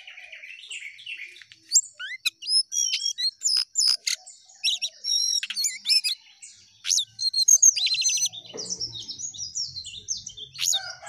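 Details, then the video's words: Jongkangan chattering eagerly with rising and falling phrases. Sharp high chips and quick upward-flicked whistles come in clusters, with brief gaps between bursts and a soft low rumble near the end. "Jongkangan Gacor Naik Turun Oke"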